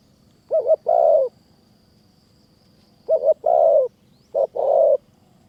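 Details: Wild spotted dove in high mountain forest near Kanchanaburi, Thailand, drawn in by a caged decoy. It gives three low two-part coos, each a short note then a longer, rough, throaty one, over a faint steady background hum.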